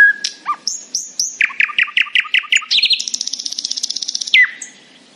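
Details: Morning nightingale song: a few whistled notes, a run of about ten punchy repeated chirps, then a long, rapid, high buzzing trill that ends in a falling whistle.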